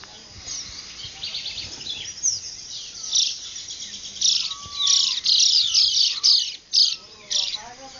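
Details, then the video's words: Dawn chorus of birds on a cattle ranch near Ciudad de Nutrias, Barinas, in the Venezuelan llanos, 12 February 2009: high chirps and trills layered densely, with a few lower whistled slurs and rising bursts of louder twittering. "Canto de aves en un Amanecer en Barinas: Él llano Venezolano"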